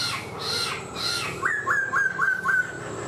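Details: Black-throated laughingthrush in a cage performing its singing-dance display, tail spread like a fan: harsh squawky notes first, then five quick, evenly spaced, upward-flicked whistles.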